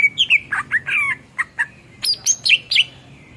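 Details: Cucak ijo, the greater green leafbird, singing energetically for use as a training model for songbirds: rapid run of bright slurred whistles and short chirps, some rising sharply, delivered in quick succession with barely a pause.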